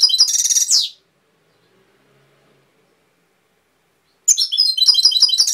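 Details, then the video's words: Goldfinch song of the Cobia Málaga type: a brief trilled phrase ending in a falling slur, a silence of about three seconds, then another quick jangle of high twittering notes. "Jilguero cantando Cobia Málaga"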